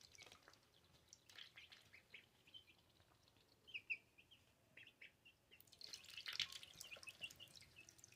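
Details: Pet ducklings two weeks old peep in high, thin notes, sparse at first, then a busier cluster of overlapping chirps near the end against a faint background hiss.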